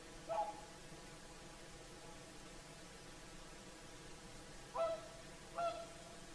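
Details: Whooper swans singing in the evening at sunset on the shore of Lake Saimaa, Finland: three clear, trumpeting honks with bright overtones, one early and two close together near the end, over a steady low background hush.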